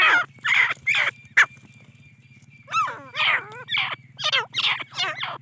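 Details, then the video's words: Grey francolin chicks bred in captivity from a Deccani female and an Iranian male make rasping squawks at an uneven rate, about two per second. One wavering, warbled note sounds midway, with a constant low hum underneath. "تیتر کی اواز"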